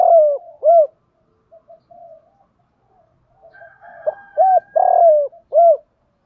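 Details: Male and female spotted doves cooing to stimulate captive birds in daily training: two deep rounded coos, quiet low murmurs, then a loud series of hollow hooting coos, one long and drawn out, ending in a short coo.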